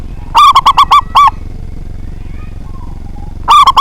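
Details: Local Indonesian zebra dove with a big voice, singing often, used as a lure to provoke rivals into singing: a loud, clipped phrase of quick cooing notes ending in a longer drawn note, then a second phrase begins after about three seconds of quiet.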